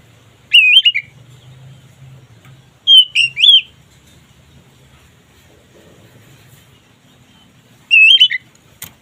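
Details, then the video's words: Kacer, the oriental magpie-robin, singing ngeplong style meant to stir mating drive: three separate clear whistled phrases, each a quick wavering slur, spaced by pauses of two to four seconds, with a soft low background rumble. "Suara BURUNG KACER Ngeplong ini sangat ampuh untuk menaikan Birahi kacer"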